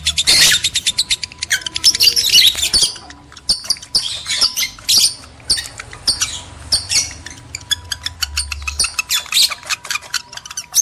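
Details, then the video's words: Lovebirds, male and female, in a mating-stimulation lure recording: dense bursts of shrill, high squeaky chirps and squawks, some rapid chattering runs, broken by brief pauses, with a faint steady hum underneath. "PANCINGAN JEBOL BIRAHI BUNYI, BIKIN EMOSI LOVEBIRD JANTAN DAN BETINA"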